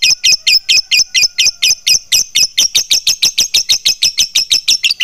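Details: A long ngekek trill from a fighter lovebird in peak form, delivered with tight gaps: shrill, rasping chatter notes repeated about five to six times a second, getting slightly quicker and denser toward the end.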